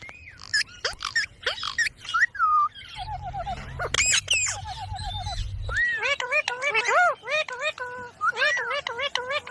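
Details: Indian ringneck parrot kept as a pet, talking: short speech-like phrases with harmonic, wavering syllables mixed with sharp clicks and squeaky chirps, a low rumble in the middle, then a run of bouncing arched notes near the end.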